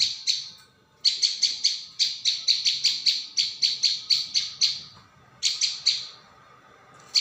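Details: Prinia lure recording: rapid runs of sharp, high chirps, about four per second, in long bursts separated by short pauses, over a faint steady hum.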